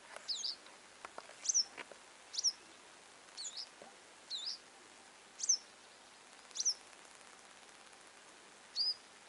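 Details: Western yellow wagtail giving short, high, thin chirps, each a quick rising-then-falling sweep, about nine calls spaced roughly a second apart over quiet background hiss.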